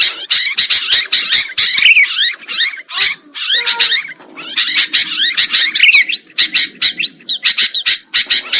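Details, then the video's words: Bird-trapping lure of sooty-headed bulbuls: busy, overlapping chatter with bright slurred notes in irregular bursts and a few faint lower tones in between. "Suara Pikat Burung Kutilang Ampuh"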